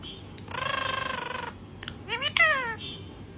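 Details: Green parrot talking to itself, likely kept as a pet. A steady nasal, buzzy tone lasts about a second, followed after a pause by quick rising and falling whistled sweeps.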